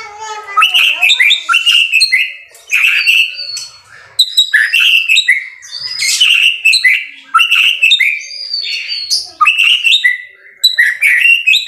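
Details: Long, unbroken display of White-rumped shama song: rapid sequences of bright whistles, chips and slurred notes in repeated energetic bursts, with only short breaks between them.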